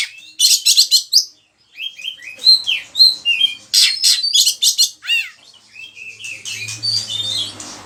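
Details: Kacer, the oriental magpie-robin, singing hard as a lure and tutor song: harsh buzzy bursts alternate with clear whistled slurs and arched notes, a brief pause, faint low hum at the end.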